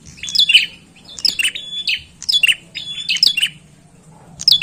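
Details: Bar-winged prinia, recorded as a bird-luring call: bright, high, chattering phrases of rapid chips and a brief flat whistle, repeated roughly once a second over a quiet low background hum.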